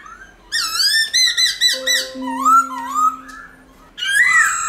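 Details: Black-throated laughingthrush wild-type song, used to prompt captive laughingthrushes to sing: loud, rich whistled phrases, some rising and some wavering, in quick bursts over a steady low hum.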